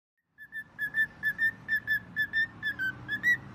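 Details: Pet bird imitating a phone: a run of short, clear whistled notes at one steady pitch, each with bright overtones, repeated quickly about twice a second with slight wavering, against a quiet room.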